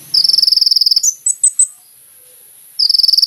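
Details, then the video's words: Energetic kolibri ninja sunbird used as a lure: a dense, buzzy high trill of a second, a few sharp separate chips, a pause, then the buzzy trill starting again. "SUARA BURUNG KOLIBRI NINJA GACOR"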